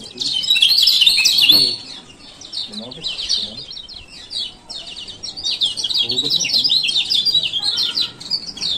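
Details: Male lemon-bellied white-eye (kecial kuning) from Lombok giving rapid, high, twittering 'ciak ciak' chirps in dense bursts, loudest in the first two seconds, then a fainter run of scratchy notes; played as a lure to get silent birds singing.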